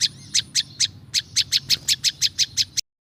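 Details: Wild prinia (prinjak lumut) song: a few spaced high chirps, then a quicker steady run of piercing notes ending abruptly in silence.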